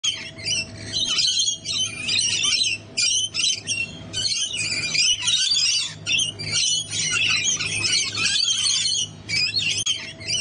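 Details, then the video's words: Several rainbow lorikeets on a balcony in Australia chatter almost nonstop in harsh, grating screeches and shrill squawks, calling over one another with only brief pauses. "Rainbow Lorikeets Sounds"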